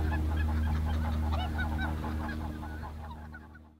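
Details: Greater white-fronted goose flock at NSG Ahsewiesen, 17 February 2019; chattering yelps and honks with a low drone beneath, fading out toward the end.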